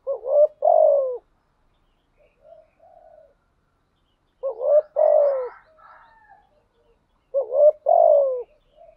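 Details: Spotted dove kept as a decoy bird, coaxed into cooing continuously, in the voice style locally called 'giọng thổ'. Loud mid-pitched coo phrases, each a short note then a longer falling note, come about every three seconds, with soft quieter notes between in otherwise silent surroundings.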